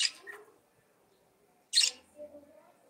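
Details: Two sharp, harsh budgerigar chirps about two seconds apart, each followed by faint low warbling murmurs.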